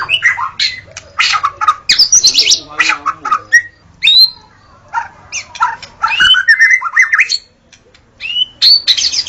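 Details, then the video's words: Dawn song of a white-rumped shama, played to lure wild shamas: dense rich sequence of whistles, harsh chatters and squeaky rising notes, bursts of varied phrases with brief pauses, loud and close. "Suara burung murai saat Fajar"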